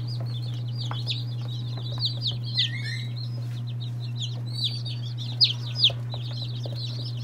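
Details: Day-old chicks of mixed breeds, including Orpingtons, Marans, Silkies, Seramas, Legbars and Faverolles. Many shrill, downward-sliding peeps overlap steadily, with a few louder cheeps near the end and a low background hum.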